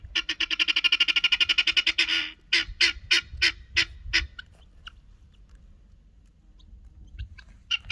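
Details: Guinea hens, an annoyed one among their typical chirping, give a fast, harsh rattling chatter for two seconds. Then come about seven loud metallic squawks roughly every third of a second, with scattered faint calls after.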